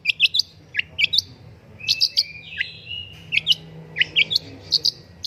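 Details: Long-tailed shrike master recording to prompt singing, lively mix of sharp high chirps, down-slurred squeaks and brief level whistles in quick succession, with a soft low hum in the background.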